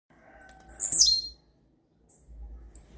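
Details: Blue-black grassquit singing a rare song of the campainha style: one short, bright buzzy phrase that sweeps down from very high to mid pitch, followed by two faint, thin high ticks.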